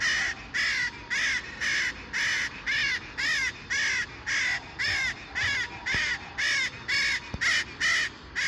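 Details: Parakeet in the city giving harsh, raspy screeches in a steady series, about two calls per second, each a short burst with a strong middle band, against a faint background hum.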